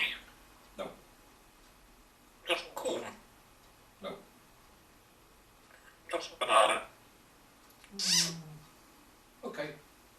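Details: A pet African grey parrot asks for food in short word-like talking bursts, with a sharp whistle near the end, as its owner speaks back to it.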